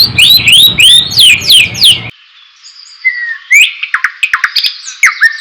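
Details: Rapid series of bright, high downslurred whistles from a White-rumped shama over a low rumble, then a pause, a clear whistle and a scatter of quick chips and short slurred notes.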